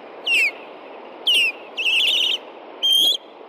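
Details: Nesting ospreys in Hellgate Canyon, Montana, calling in alarm at night on June 2, 2014 as an intruding juvenile upsets them: four loud, piercing whistles, the first two sliding downward, the third a rapid wavering trill, recorded by a nest camera.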